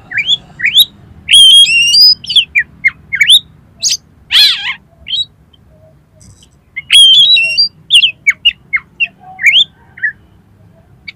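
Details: Kacer, Oriental magpie-robin, pouring out a long varied song of rising whistles, sharp chips and harsh buzzy bursts with brief pauses, played so a kacer will answer in song and spread its tail.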